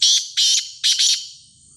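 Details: Black francolin gives four loud, rasping, buzzy notes: one, then a second, then a close pair. The call ends in quiet, with a thin high hiss.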